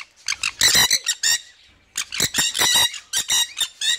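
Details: Red factor Jenday conure kept as a pet, in threatening posture toward its owner: loud grating squawks in clipped bursts, a cluster of four, a short silence, then another tight series of harsh cries.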